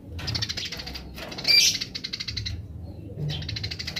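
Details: Wild Eurasian tree sparrow 'grece' chatter: a continuous buzzy stream of rapid chips with one louder sharp burst in the middle, pausing briefly before the rattling chatter resumes.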